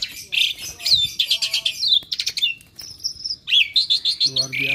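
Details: Asian pied starling kept as a pet, a restless bird said to be clever at copying other birds' voices, giving a dense run of varied high chirps, whistles and rising squeaks, ending with lower nasal notes.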